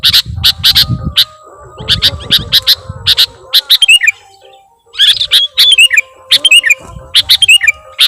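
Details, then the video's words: Sooty-headed bulbul in energetic lure song full of imitated phrases: quick series of piercing chips, a brief lull near the middle, then chips mixed with short falling whistles, thin steady tones behind. "KUTILANG PIKAT || BURUNG LEGEND FULL ISIAN DAN GACOR"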